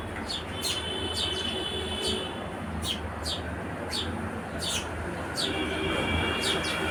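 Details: House sparrow giving short, sharp chirps at irregular intervals. Some come singly and some in quick pairs. A few thin, steady whistles sound between them over a constant low rumble of traffic or train noise.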